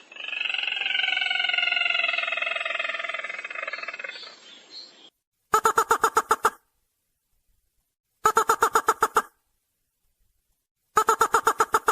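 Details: Ruddy-breasted crake lure call used for trapping: after a drawn-out harmonic wavering cry, short bursts of about eight rapid, sharp ticking notes repeat every few seconds, separated by dead silence.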